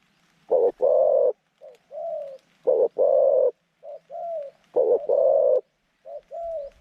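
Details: Zebra dove decoy luring wild doves into a pen trap; repeated pattern of a loud rolling coo followed by a softer two-note coo, cycling about every two seconds.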